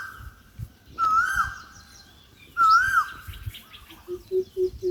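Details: Birds by a field hut under sunny skies and a breeze: two loud, smooth whistled swoops about one and a half seconds apart, then a run of four short, low, evenly spaced piping notes.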